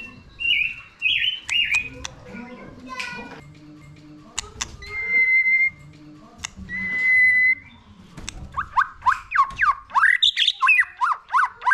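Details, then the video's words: Song of a White-rumped shama meant to stimulate a newly caught bird: sustained pure whistles and fluty slurs, then a rapid run of steeply down-slurred notes, with clicks and ticks throughout. "Video kích lửa dìu lửa cho chòe lửa bổi. kích chòe lửa căng lửa"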